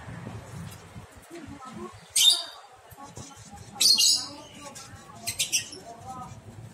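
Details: Month-old lovebird chick beginning to venture out of its nest box; three loud harsh, buzzy squawks, the last a quick stuttering double, spaced a second or two apart over a low background rumble.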